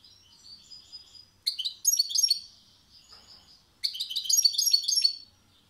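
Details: European goldfinch singing, called a maestro: a thin, high twittering phrase, then two bursts of bright, tinkling, liquid notes with quick buzzy trills, separated by a brief pause.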